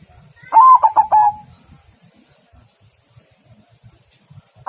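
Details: White zebra dove (perkutut putih) giving a single cooing phrase of one long note and three quick rolling notes, then quiet with faint background noise.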